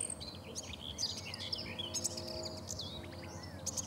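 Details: High, rapid scratchy twitters and chirps of a common whitethroat delivered in a jumbled run, recorded on the Sava bank in Prečko, Zagreb, Croatia, June 2017, with steady low hum.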